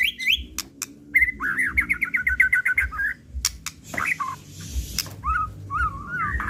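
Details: White-rumped shama natural song without repeats, used to stir other birds into singing: a fast trilled run, then clicks and looping whistled phrases, with a low rhythmic thumping in the background.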